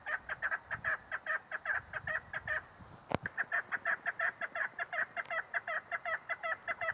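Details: Female chukar partridge calling: a steady series of short, clucking notes repeated about two to three times per second, briefly broken by a sharp click midway before the rhythmic calling resumes.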